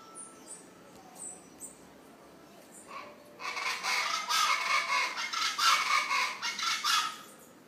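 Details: Unnamed large bird, about two feet tall, perched high in a tree, a local bird said to call for rain: after three quiet seconds, a loud harsh rapid series of broadband pulsed calls, about four per second, with a few faint high chirps earlier.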